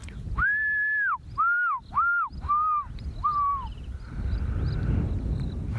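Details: In the morning, as gloomy overcast weather moves in, an African fish eagle perched over a river gives its ringing, yelping call: one long clear note, then four shorter, slightly lower falling yelps. Low rumble and wind noise follow.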